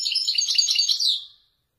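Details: Moroccan Wedani-style European goldfinch performing authentic Marrakchi 'nzoulat' song phrases: a dense, rapid, high twittering burst of tinkling notes lasting just over a second, then fading out into silence.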